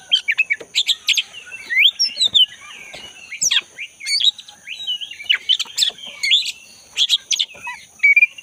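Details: Black-breasted oriental magpie-robin singing actively in the forest, offered to stimulate a caged magpie-robin that has stopped singing. Fast, varied high whistles, chirps and rising slurs come in bursts, over a steady high-pitched hum.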